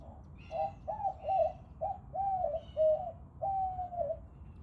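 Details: White-winged dove cooing: a run of about six hoarse, low, rising-then-falling coo notes, each under a second, spaced roughly every half second, with faint higher chirps from other birds above.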